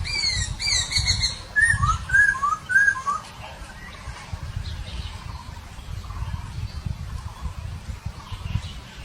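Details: Masked laughingthrush in the wild giving a quick run of clear, slurred whistles, bright high notes first, then about four looping mid-pitched whistles. Softer distant calls and steady low background noise fill the remaining seconds.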